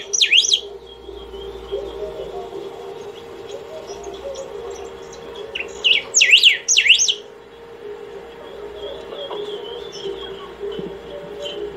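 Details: Saffron finch in a long nonstop singing session meant to call or train other birds; a brief zigzag whistled phrase opens, then after a hum-filled gap a longer burst of rapid up-and-down sweeping notes.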